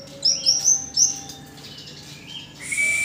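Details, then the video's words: Tame yellow-bellied warbler singing actively: a few very high, thin, sweet whistles in quick succession, a short pause, then a long, piercing high note. "Burung cikrak bambu Jinak gacor"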